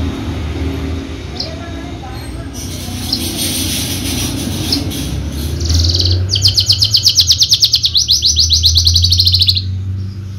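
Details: Contest-trained Horsfield's bushlark, javanica form, starts with scattered faint chips over background rumble, then breaks into a loud fast series of high buzzy repeated notes lasting several seconds.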